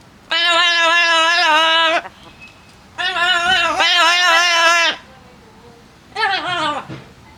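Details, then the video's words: Amazon parrot, a pet kept with a second parrot, being chatty while drying off outdoors on a nice day, gives three loud, harsh, drawn-out squawks. The first two last nearly two seconds each and the third is shorter, all rich and nasal. "the Parrot making noise"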